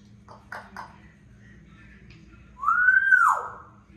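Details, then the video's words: Pet talking African grey parrot calling out its own name indoors: two short speech-like syllables, then a loud, smooth whistle that rises, holds, and falls away over about a second. A steady low hum runs underneath. "ببغاء الكاسكو متكلم | ينادي اسمه"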